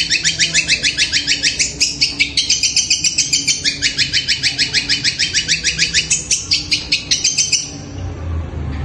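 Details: At night a long-tailed shrike, likened to a kuntilanak, keeps up a long steady series of harsh grating notes at about three per second for some eight seconds before falling quiet.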